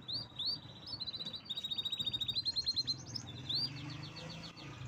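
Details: Strong canary song made of high whistled tours: short rising notes, then a rapid pulsed trill repeated about ten times, then a fading chatter, with a faint low hum underneath.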